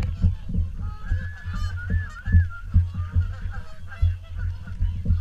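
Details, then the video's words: Many swans call together at the WWT Caerlaverock morning feed, with a chorus of trumpeting honks and one long wavering note, all over a constant deep rumble. "Morning Swan Feed"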